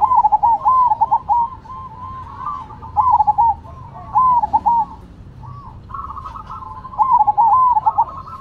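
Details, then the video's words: Cemani and Silver perkutut (zebra doves) in active song duel: a run of rolling, purring coo phrases repeated every second or two, some louder and some softer, with a low steady rumble beneath. "Perkutut Cemani Gacor Vs Silver Gacor"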